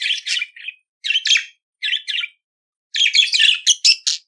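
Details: Budgerigar song for training a pet to sing: paired raspy chirps in short groups, then a fast, chattering burst of squeaky notes near the end, high and clear.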